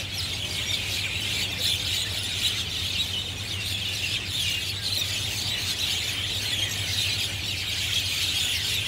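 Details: A flock of Javan or jungle mynas in treetops at Marina Barrage, Singapore, on a Sunday afternoon into dusk, possibly gathering at their roost, keeps up a loud, dense chatter of harsh squawks and squeals, sounding like arguing, over a low hum.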